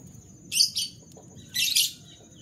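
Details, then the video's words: Morning canary song: two quick trilled bursts followed by a longer rich rolling trill, with a steady high whine and low background rumble. "Canary Bird Sounds Full"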